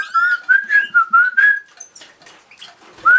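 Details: Pet cockatiel whistling a clear tune of repeated notes around one pitch, each slightly rising, in a quick series for about a second and a half, then softer scattered chirps and one last whistle at the end.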